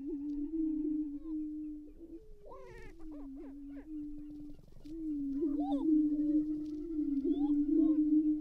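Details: Lekking greater prairie-chickens in northwest Minnesota in April 2019, males sparring while females watch from the edges; low continuous moaning hum with short bursts of yelping, arching cackles, loudest toward the end.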